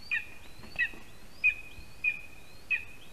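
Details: At a Latvian spruce-tree nest, a lesser spotted eagle chick gets breakfast from its father on 12 July 2021, 8:14 AM: five high, piercing notes roughly every 0.65 seconds, each trailing into a steady whistled tone, faint background noise.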